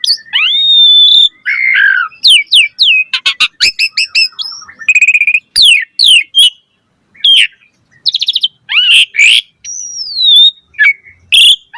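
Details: Extended 'gacor' lure song of an Asian pied starling with rich variety: long level whistles, warbled slurs, a fast volley of sharp clicks, rattling trills, upward and downward whistled sweeps and buzzy chatters, broken by one brief pause.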